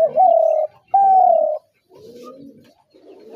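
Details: Spotted dove coo call: two strong, even, hollow coos of about half a second each with a short gap, followed by softer, lower coo-like notes fading out.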